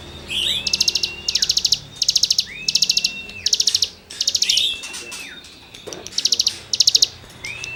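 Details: Cigun in full 'gesekan' song, material for training other songbirds: eight or so loud rattling buzzes of quick pulses, each paired with a sliding whistle, about one burst per second.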